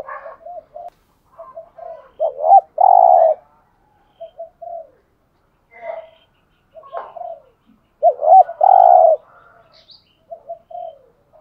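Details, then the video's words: Caged decoy spotted dove cooing to lure wild doves: short soft coo notes build into two long, loud, low throaty coos, followed by quieter coo fragments and faint higher chirps. "tiếng chim cu cườm mồi gù thúc"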